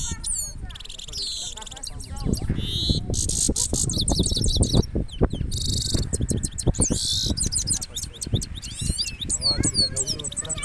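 A goldfinch sings a fast, tinkling twitter of high chirps, trills and buzzy rolls, with steady low thumping and murmuring underneath.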